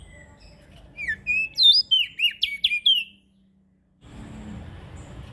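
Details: Ashy prinia calling as a lure for small birds: about two seconds of rapid bright swooping chirps, then sudden silence followed by steady hissing background noise.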